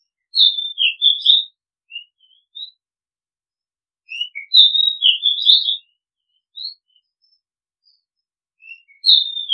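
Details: Oriental magpie-robin, known in Thai as nok kangkhen ban, singing repeated whistled phrases with short single whistles and chips between them. The bright, sliding whistles and warbles recur roughly every four seconds against a silent background.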